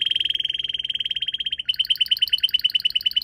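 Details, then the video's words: Garden red canary singing near purple azaleas. A fast rolling trill shifts midway into a slower, bubbly trill with ringing overtones. "Red Canary Singing"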